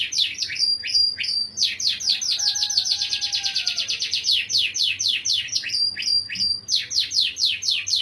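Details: A canary sings a melodious cengkok phrase of quick repeated high descending chirps, broken by short clear whistled notes, with the rolls running almost without pause.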